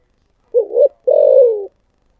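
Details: A single coo phrase from a spotted dove in the thổ sấm voice style: a short double note, a brief pause, then a long, even coo sliding slowly downward.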